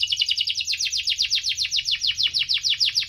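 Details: Canary singing in a lively 'gacor' cuit-cuit ngerol style, used as a lure to get slow-singing canaries going: a fast rolling run of high, downward-sweeping chirps, about three or four per second, without pause.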